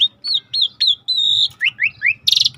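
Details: Rare starling in a river-sound training recording: a series of loud upslurred whistles, one long steady whistle, three quick rising notes in sequence, then a harsh rattling buzz at the end.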